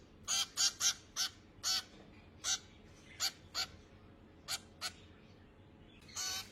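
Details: Finch chicks being fed, giving loud, harsh, buzzy begging calls in short bursts, about a dozen over six seconds with brief gaps, then one longer rasping burst at the end; faint background hiss.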